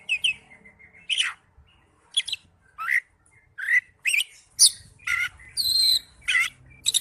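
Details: Oriental magpie-robin (kacer) singing in ngipas style: short bursts of bright chirps and squawky notes, each a fraction of a second, separated by brief pauses, with a faint low hum underneath.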